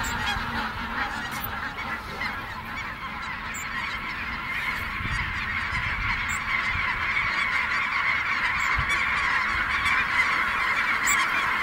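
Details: Thousands of overlapping snow goose honks as the flock takes flight at Merced NWF, a continuous clamor that swells slightly louder toward the end, with faint low rumbles underneath.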